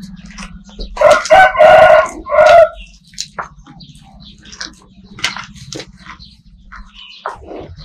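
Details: Rooster crowing on a farm: a loud, harsh, harmonic crow of several drawn-out syllables lasting under two seconds, followed by scattered clicks and rustling over a steady low hum.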